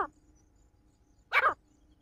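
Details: A male partridge gives one strong, harsh, buzzy call note after the tail of an earlier one, with a steady low hum underneath.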